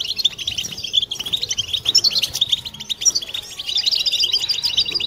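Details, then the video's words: Group song of European goldfinches, intended to encourage mating song and stimulate females. Lively jumbled twitters and clear, ringing chirps pour out in pulsing bursts, steady throughout. "بتبتة حسون جماعية ضرورية لعلاج سكوت+تحفيز إنات لحسون قوى بتبتة جماعية لتحفيز حسون على تغريدة تزاوج"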